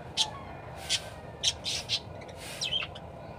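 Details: Parakeet singing actively: scattered sharp, high chirps and short squawky notes at irregular intervals, about seven calls over three seconds, with a steady low background hum.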